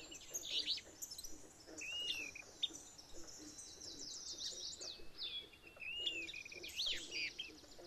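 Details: Alder flycatchers in Maine, a pair very active and vocal while driving off an intruding alder flycatcher, trade short high chirps, clipped buzzy notes and quick downslurred calls throughout, overlapping one another.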